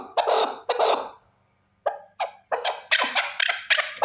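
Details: Male chukar partridge, one bird, giving two long rasping calls, then a pause and a run of short, loud, clipped chuck notes that speed up toward the end.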